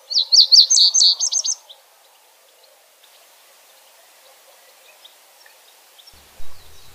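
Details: Song of a common reed bunting (Emberiza schoeniclus): a brisk burst of sharp, high, repeated notes lasting under two seconds, followed by near silence and a soft thump near the end.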